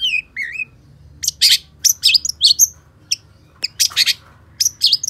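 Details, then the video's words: Long-tailed shrike (cendet pentet) in gacor song: it opens with wavering whistled slurs, then bursts of loud harsh chatter, separated by short pauses, over a faint low hum. "Suara Cendet Pentet Gacor DOR"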